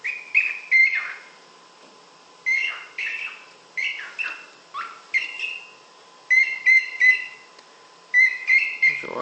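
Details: A female cockatiel over seven years old, laying an unfertilized egg, gives bright, rising whistled chirps in quick clusters separated by short pauses.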